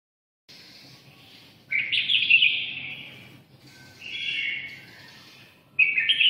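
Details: Red-whiskered bulbul from Nghe An, Vietnam, sings in short bursts of buzzy, rich warbled phrases separated by quieter stretches, with one brisk phrase closing the sequence.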